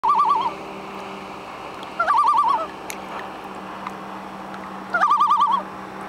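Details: Common loon on Little Bass Lake, Grand Rapids, Minnesota, recorded 27 July 2012; three quavering, rapidly wavering phrases of about half a second each, spaced roughly every three seconds over a steady low hum.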